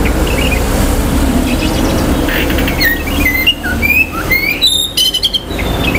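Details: Oriental magpie-robin (kacer) song meant to quickly provoke other magpie-robins' aggression and breeding drive: varied clear whistles, short rising and falling notes with a few scratchy chips, over a steady low rumble of traffic or machinery.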